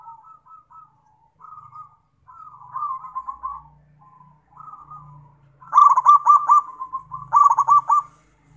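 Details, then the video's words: Zebra dove singing actively. Soft, mid-pitched cooing notes build into loud, rapid staccato trilled bursts of about a second each, repeated twice. A faint low hum runs underneath. "PERKUTUT GACOR"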